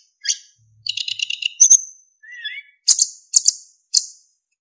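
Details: Caged narcissus flycatcher (sikatan emas) in a training recording for other songbirds: short separated bursts of high, bright chirps, a rattling run of notes, a thin whistle, then sharp repeated notes at steady spacing.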